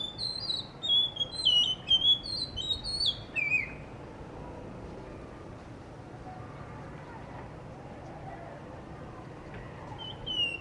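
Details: In Hunza, a Blue whistling thrush perched by a guesthouse under construction near a cafe gives a burst of bright whistled phrases for about four seconds, followed by quiet background hiss with a faint whistle at the very end.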